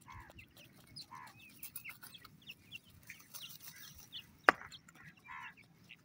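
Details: Partridge chicks peeping softly and continuously, short high notes with a few fuller calls, and one sharp click midway.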